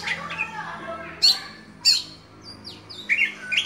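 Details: Kacer dewa air, a caged oriental magpie-robin, sings in bursts: sharp high chips and short downward-sweeping whistles separated by pauses, over a steady low hum and background chatter from other birds.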